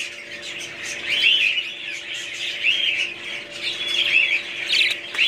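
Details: Budgerigars chattering together, a dense stream of warbled, squeaky chirps and short rising whistles over a steady low electrical hum.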